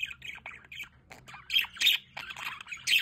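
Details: Budgerigars in an aviary with a solar water fountain: short rasping chirps at first, then louder buzzy squawks about once a second.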